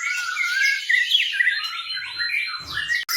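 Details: Pet white-rumped shama, blorok variety, sings to encourage other birds to sing. It gives a continuous rush of high, sweet whistles and twittering trills, with a sustained thin whistle near the end.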